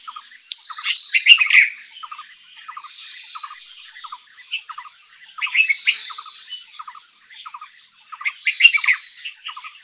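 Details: A Himalayan bulbul (Pycnonotus leucogenis) in Uttarakhand, India, sings short, bubbly chirped phrases over a steady high insect hum.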